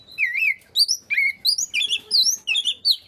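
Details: Song of a white-rumped shama, played to get reluctant shamas to sing: fast run of looping whistles and sharp upslurred notes, about eight bursts in three seconds, clear and loud.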